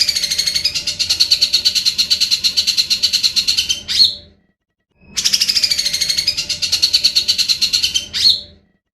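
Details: Cucak jenggot, the grey-cheeked bulbul, in full song for training songbirds; two near-identical bursts of dense buzzy chattering, each about four seconds and ending in a sharp rising note, separated by a short silence.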